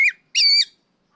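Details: Oriental magpie-robin, kept bird, ngeplong calling toward a rival: two short, bright, harsh-edged whistled notes, the second held flat and rich for about a quarter second.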